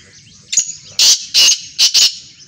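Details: Black francolin giving its call: a faint lead-in note, then four loud, rasping, buzzy bursts delivered rapidly in a grating phrase against a quiet background.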